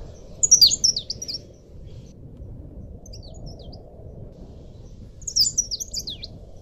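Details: Leaf warbler song used as a master recording for training cage birds: two short, very high, twittering phrases of quick descending slurred notes, about five seconds apart, with a faint fragment between them, over a steady low hum.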